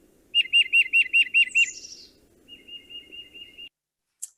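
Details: Tufted Titmouse song, played as an example and likened to 'peter peter peter': seven clear, rapid whistled two-note phrases, then a softer, faster run of even whistled notes and a brief high chip at the end.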